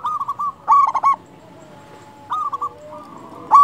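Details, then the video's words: Lure song from a loud, frequently singing local zebra dove. Soft quick coos lead into a louder rolling burst, then after a pause another soft series, ending on a loud note. "Perkutut lokal gacor suara besar cocok untuk pancingan burung perkutut agar bunyi"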